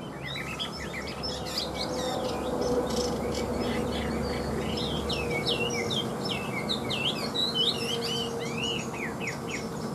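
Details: Cage-kept Chinese hwamei pouring out a dense, continuous stream of varied warbling, looping whistled notes, with a steady hum and broadband noise running underneath.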